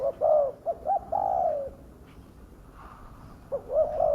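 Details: Spotted dove lure call: a few low hollow coos, quick short notes leading into a longer drawn note, then a pause before another phrase, with faint background murmur.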